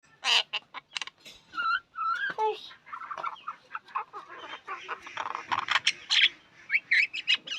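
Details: Myna (shalik) calling with a rapid run of harsh, noisy chattering notes and clicks, some short whistled squeaks mixed in, delivered in uneven bursts.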